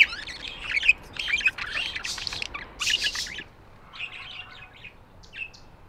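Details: Busy budgie chatter: a run of quick, scratchy chirps and buzzy notes for about three seconds, easing into softer scattered twitters.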